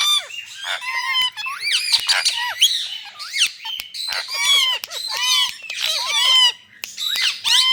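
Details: Indian ringneck parakeets in India: harsh, ringing squawks and quick rising-then-falling chirps in dense, overlapping bursts, almost without pause.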